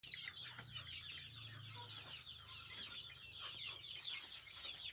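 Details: Native Indonesian village chickens (ayam kampung, with joper crossbreeds mentioned): a dense, continuous chorus of high, thin chirps and peeps from many birds overlapping throughout, with a faint low hum during the first two seconds.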